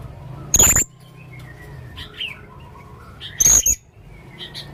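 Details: Male blue-crowned hanging parrot singing: two loud, piercing, very high shrieks about three seconds apart, with faint soft whistles in between.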